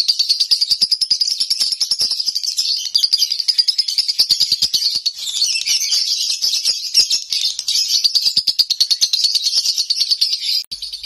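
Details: Konslet-style nonstop song from a lovebird kept at home: a dense, high-pitched stream of rapid chirps, about three notes per second, running without a break for eleven seconds.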